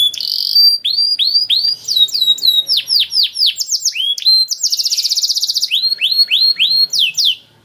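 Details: Long cuit-cuit canary masteran, sung as a lure to get young canaries singing fast: brisk runs of clear downward-sweeping chip notes, a high buzzing roll midway, then more repeated swooping notes ending in quiet.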